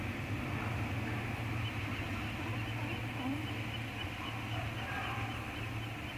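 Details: A steady low hum and broad rushing noise continue throughout with no animal calls.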